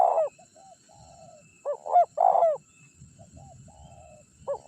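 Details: Decoy recording of a prize-winning Spotted dove meant to draw rival wild birds in; rough mellow coo phrases, clipped notes leading into a drawn-out burry coo, with softer trailing notes between and faint low rustling.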